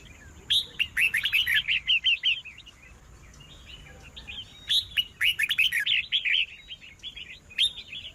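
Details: Red-whiskered bulbul singing to stir up rival birds, two long bursts of rapid looping whistled notes and chatters, a quiet gap between them, then a brief closing phrase, with a faint steady high hum.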